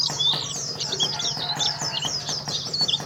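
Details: Champion Oriental white-eye from Karawang gives a rapid run of thin, high twitters with a few piercing whistled notes, over a faint ticking rhythm and steady low hum.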